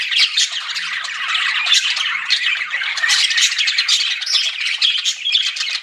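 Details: Unbroken chatter from pet budgies, flirting: a steady stream of harsh, buzzy warbled notes and squawks layered over one another, fairly even in loudness throughout.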